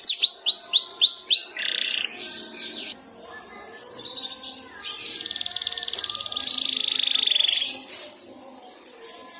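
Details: Canary learning to twitter (ngeriwik), prompted by another canary's song: rapid series of high, down-curving whistled notes, then buzzy rolled trills and a long high sustained rattle with quieter pauses between.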